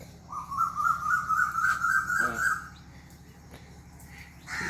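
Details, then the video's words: An Asian koel calls in a quiet village among mango trees the day after Eid: a long, clear whistled note lasting over two seconds and rising slightly, with a brief harsh call breaking in midway. "কোকিলের ডাক শুনতে পাচ্ছেন, কু কু কু।"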